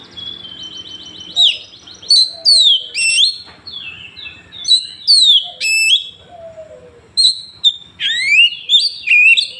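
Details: Rapid trilled notes open this Oriental magpie-robin 'tembakan' song from Woncoyo, Trenggalek, Indonesia, followed by loud repeated swooping downslurred whistles, varied sharp notes and rising phrases in quick succession; phone recording.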